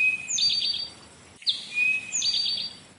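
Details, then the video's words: Eastern Towhee song heard as summer approaches, given twice: clear opening notes, one high and one lower, then a quick buzzy trill, the familiar "drink-your-tea" pattern. "The Eastern Towhee sounds like he's singing, "Drink your tea.""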